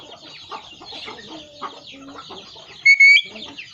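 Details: Busy chirping and twittering from many birds fills the background until a talking parrot cuts in near the end with a loud, pure two-part whistle.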